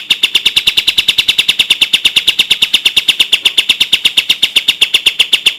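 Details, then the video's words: Kapas tembak bulbul song used to tutor caged birds: a steady, fast run of sharp, evenly repeated notes at one high pitch, continuing without pause. "MASTERAN KAPAS TEMBAK JERNIH + JEDA, SPEED RAPAT"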